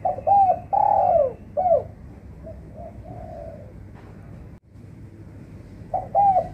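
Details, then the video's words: Spotted dove lure call for trapping: a full phrase of soft coos with a long downward-sliding middle note, a faint low coo, a pause, then the start of another phrase over low hum. "PANGILAN TEKUKUR PIKAT AJARAN"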